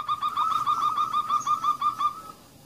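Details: Zebra dove call, a local female followed by a male kerot voice, played to stimulate singing: a fast, even string of mid-pitched purring coo notes lasting just over two seconds, then falling quiet.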